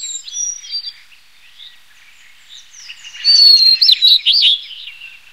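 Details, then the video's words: Blue-and-white Flycatcher (Cyanoptila cyanomelana) singing high, clear whistled phrases with quick slurred notes and buzzy flourishes, with softer twitters before the louder phrase. "白腹琉璃(白腹藍姬鶲)/Blue-and-white Flycatcher"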